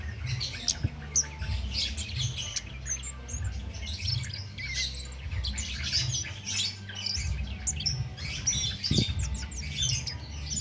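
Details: Cit keres bird singing nonstop without stimulants, recorded as a training master for songbirds. A dense, busy run of high twittering chirps continues the whole time above a low background hum.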